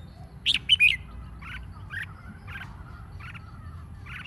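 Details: Red-whiskered bulbul competition song meant to stimulate singing: a loud three-note whistled burst at the start, followed by softer, evenly spaced chirps roughly every half second against low background hum.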